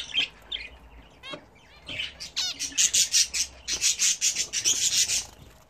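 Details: Home-bred pet budgerigars bathing: a few sharp chirps and quick downslurred whistles, followed by a steady series of rhythmic buzzy bursts, about three per second.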